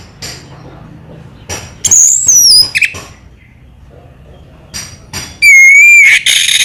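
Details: Orange-headed thrush, locally called anis merah, giving sparse song phrases: high, thin whistles sliding downward, separated by quiet gaps, with a long clear descending whistle near the end.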